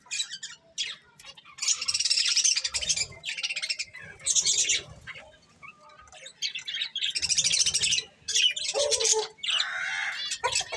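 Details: Pet budgerigars eating corn, chirping in bursts of high, harsh, warbling chatter separated by short quieter gaps, with some lower squawky notes near the end.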